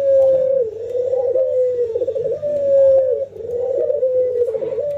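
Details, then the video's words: Captive ringneck doves, albino white versus local, trained to call often while nodding and laughing; steady low coos with a rolling, tremulous middle, linked into a near-continuous chain of phrases. "puter putih albino versus puter lokal ngangguk dan tertawa"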